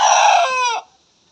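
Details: Young cockerel just beginning to crow, one of newly maturing roosters squaring off in a free-range yard; a loud, strained harmonic crow under a second long, breaking into a rough, cracking tail before quiet.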